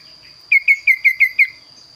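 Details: Kaso-kaso bird in full, lively song with a distinctive varied voice: six clear, slightly descending whistled notes delivered rapidly and evenly, with a thin constant high whine in the background.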